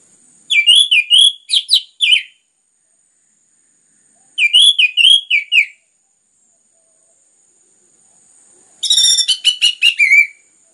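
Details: Orange-headed thrush giving clear, densely packed song, used as a lure to stimulate other birds: three phrases of rapid slurred whistles, roughly every four seconds, the last a fast buzzy stuttering run.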